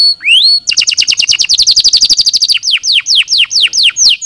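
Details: Singing canary for prompting reluctant birds to sing: a rising whistle, then a quick even chattering trill of repeated notes, slowing into longer downward-sweeping whistles.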